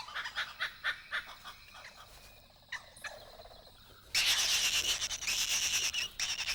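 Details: Pair of Blue-winged Kookaburras nesting in an old gum tree in Kakadu, far northern Australia, give their daily territorial calls, harsh rapid cackling bursts, first spaced and fainter, then a loud raucous run of grating notes, confirming ownership of the territory.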